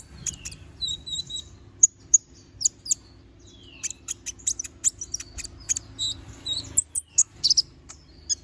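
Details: Little spiderhunter in full song, sharp high chips and short whistles around a steady low hum, notes scattered irregularly with brief downslurred squeaks.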